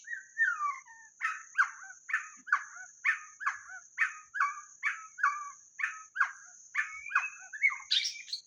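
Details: Lure recording of a white-rumped shama: a run of harsh, chattering two-part notes repeated about twice a second, ending in a higher, squeakier flourish, with a steady insect whine behind.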